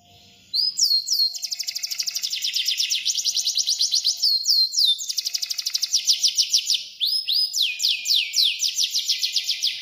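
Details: Vigorous canary song starting after half a second of quiet: rapid high rolling trills in long tours, steep descending notes, a brief break near seven seconds, then more trilling over a faint constant hum.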